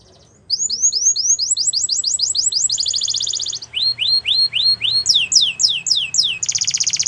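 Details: Singing Belgian canary begins after brief quiet with quick repeated upslurred whistles, then a buzzy high trill, a slower run of sweeping notes, and a final rapid rattle.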